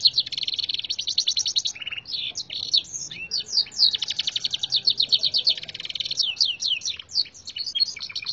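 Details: Local Gloster canary, a singing-contest entry, its song filled with red siskin phrases learned from a tutor recording. It sings a loud, nonstop, high run of fast buzzy trills, sweeping chirps and rattling note-series, changing phrase every second or two.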